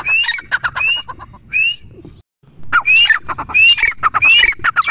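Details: Grey francolin, or teetar, giving harsh, noisy calls with short rising whistles and clattering notes, broken by a brief silent gap before the calling resumes.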